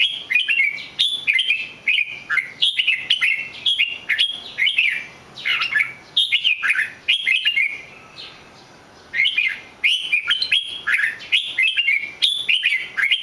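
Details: Red-whiskered bulbul singing: lively runs of short, bright, warbled whistles that rise and fall, given in quick phrases with a brief pause midway before the song resumes.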